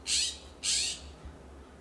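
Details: Backyard California scrub-jays in Pacific Grove, California, trading loud calls among fence, oak and cypress perches; two rough, scratchy squawks in quick succession, then quiet with a faint low hum.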